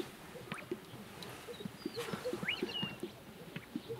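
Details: Displaying greater sage-grouse at a lek mating center in Fremont County, Wyoming, during peak breeding with copulations occurring: soft low pops and gulps, about three a second, overlapping from many birds, with thin high whistles and chirps above.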